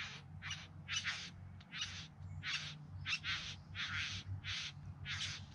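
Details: Bowerbirds singing and dancing in courtship display, Yarra Valley just outside Melbourne, September 2020: a run of harsh, buzzy, hissing bursts, roughly two per second, with a steady low hum underneath.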